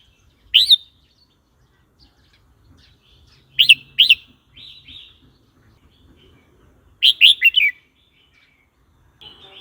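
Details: Red-whiskered bulbul song used to teach young birds and provoke other birds: short bright whistled phrases of two to four quick rising-falling notes, separated by pauses of a few seconds.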